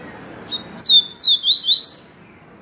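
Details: Viviti-type song of a yellow-bellied seedeater for song training: a soft lead-in note followed by five ringing, high-pitched whistled slurs, mostly falling, the last one starting highest, all clear over a quiet room.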